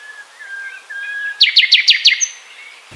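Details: Nightingale song: a faint, drawn-out whistle, then a sudden burst of five loud, sharp strokes repeated rapidly, then a brief high note before the phrase ends.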